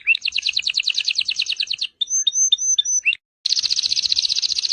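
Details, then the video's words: Canary song for training other birds: a fast descending rolling trill, a few sharp high piping notes with short pauses, a brief silence, then another quick buzzy trill. "Kenari gacor untuk masteran"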